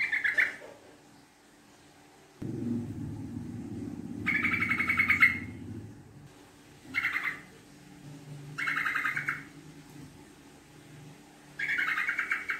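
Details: Yellow-vented bulbul lure song in the rapid, long-chattering style: five short bursts of quick pulsed notes spread over the recording, with a low rumbling background noise for several seconds in the middle.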